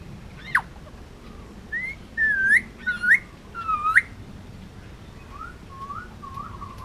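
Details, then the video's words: Male Indian ringneck parakeet kept on Oahu, Hawaii, almost two years old, giving a short series of rising whistled notes, then a few softer wavering ones, in a quiet room. "Indian ringneck talking and making noises"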